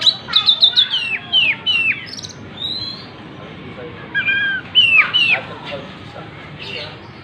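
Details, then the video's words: Oriental magpie-robin in full song, tail spread open; quick runs of sharp downward-slurred whistles open the phrase, followed by pauses and another burst of clear whistled notes and squawky chips. "Burung Kacer gacor buka ekor"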